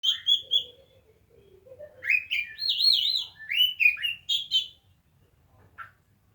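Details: Kacer song: loud varied whistled phrases, some warbling and trilled, others sweeping and rising, with a softer low warble early on and quiet background rumble.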